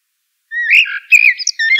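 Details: Eurasian blackbird song: a short burst of mellow whistled notes around mid pitch, sliding and warbling, ending in brief higher twitters after a half-second of silence.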